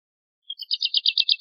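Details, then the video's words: Woodlark, Lullula arborea, singing a short accelerating series of clear, high liquid notes, about eight rapid units in a row after a brief lead-in whistle, against a silent background. "Woodlark Singing! Woodlark Calling! Chirping, Sound - Alondra Totovía Canto - Lullula Arborea"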